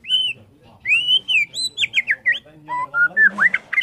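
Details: White-rumped shama of the Borneo type singing in the morning: a rich run of clear whistled phrases, slurred notes rising and falling, then quick varied chirps and sweeping whistles toward the end.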